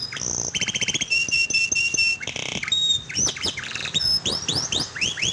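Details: Canary song played to prompt a silent canary: a rapid trill, long steady whistles, a buzzy stuttering passage, then repeated rising slurred notes toward the end.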